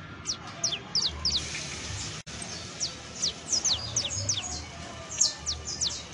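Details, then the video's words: Saffron finch (canario criollo) song: rapid, high, thin down-sweeping notes come in irregular bursts, several each second, over steady low rumbling noise with a brief dropout midway. "CANTO DE CANARIO CRIOLLO EJEMPLAR [SICALIS FLAVEOLA]"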